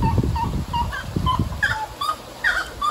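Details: Wood-rails in Costa Rica in March, calling to each other in a duet: loud, clucking notes traded back and forth, rapid and uneven, over a low rumble of background noise.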